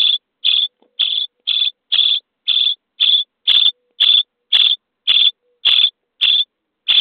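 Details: Starling nestlings in a nest box, day 23 of feeding: a steady series of short, even, scratchy begging notes, about two per second, regular and clean against a quiet background.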